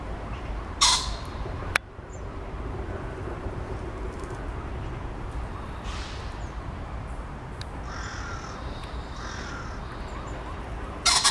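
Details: Common pheasant crowing from a tree in a zoo on 18 November 2020: a loud, harsh, broadband burst near the start and another at the very end, separated by steady background hum with a few faint, thin bird notes between.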